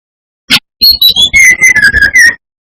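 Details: Singing brown-chested jungle flycatcher, played to provoke other males: one sharp note, then a phrase of whistles sliding from high down to a steady run of lower, evenly spaced notes.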